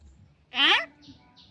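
A common hill myna gives one brief, voice-like utterance, a rich rising-then-falling phrase of about a third of a second, followed by faint background noise.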